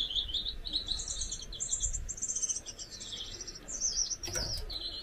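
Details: Captive pair of Gouldian finches: continuous thin buzzy song of pulsed, wavering high phrases lasting about five seconds, broken briefly by a sharp rustle or wingbeat sound near the fourth second.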